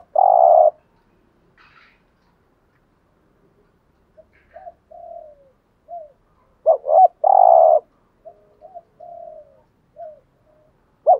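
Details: Spotted dove giving gù thúc style coos, played to stir wild doves to call: low steady drawn-out coos alternate with short wavering notes and soft trailing hoots, with long quiet gaps between phrases.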